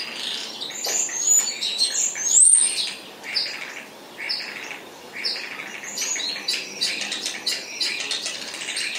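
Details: Spotless starling song: a busy jumble of thin high whistles, clicks and scratchy notes running continuously, with brief sharp whistled slides near the start.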